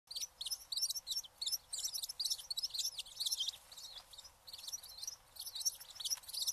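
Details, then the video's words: Eurasian tree sparrow giving dense, overlapping high chirps and tweets in quick irregular bursts, with brief pauses near the middle and more chirping again toward the end. "trees sparrow"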